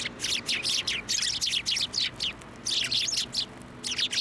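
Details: Sparrows flying to a person's hand to be fed at a Tenmangu shrine in January, giving dense bursts of harsh, broadband chirps in rapid overlapping series, with brief pauses between flurries.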